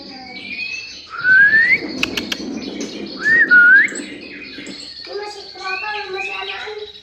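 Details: Male white-rumped shama singing: loud, clear whistled phrases sweeping upward, two bright bursts about two seconds apart, with softer chattering notes and a murmur of background noise between them.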